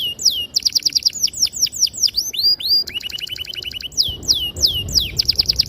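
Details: Canary delivering a varied, emotional song used as a lure for other canaries: looping slurred whistles, fast repeated notes and a pulsing rolled trill in quick succession.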